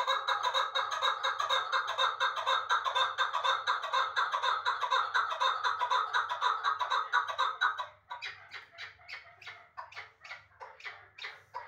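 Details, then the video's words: Chukar partridge, a captive bird in Dushanbe, giving a loud, rapid chattering call of harsh repeated notes about twice per second, building into a steady chuckling rally before shifting to more spaced, separate notes. "Кабки Узбекистон"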